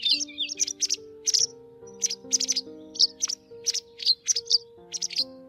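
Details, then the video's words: White wagtail calls from a 2020-season lure recording used day and night to draw migrating birds into nets: sharp, high two-part chirps in short bursts every half second or so, over a soft layer of steady, low, music-like tones. "Tiếng Chìa Vôi Trắng"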